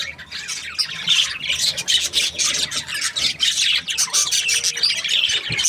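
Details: Several budgerigars from breeding pairs chirping happily: harsh, buzzy warbling and squeaky notes blending into a steady, noisy chorus.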